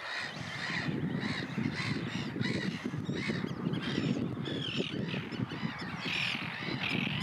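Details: Common terns in Russia, many harsh, rasping calls overlapping throughout, short grating notes repeated rapidly by several birds, over a steady low rumble of wind or water.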